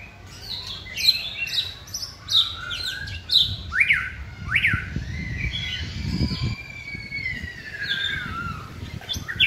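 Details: White-rumped shama singing during a training session: a run of sharp, repeated whistled notes and steep up-down sweeps, then longer gliding whistles, with low background rumble.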